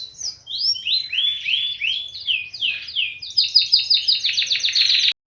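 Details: 'Tembakan kenari' song of an Indonesian white-eye, used as bait to get birds that are reluctant to sing going; swooping slurred notes lead into a rapid, buzzy repeated trill before stopping abruptly.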